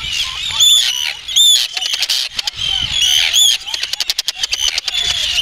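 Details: Arctic terns, with an adult feeding chicks on the Farne Islands, UK, give harsh, grating high-pitched calls that overlap in dense bursts from several birds, with sharp rasping notes repeated in quick succession.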